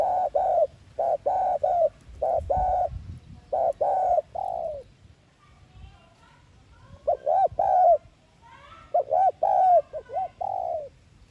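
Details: Spotted dove lure cooing, thúc gù style, played to make kept males call: rapid runs of short hollow coos in quick groups, a quiet gap, then more humped coos ending in a longer falling note.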